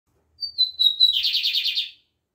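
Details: Lined seedeater (bigodinho) singing in the Libanês style: a few high, clear whistled notes that slide slightly downward, then a fast buzzy rattling trill of about ten pulses, lasting roughly a second and a half.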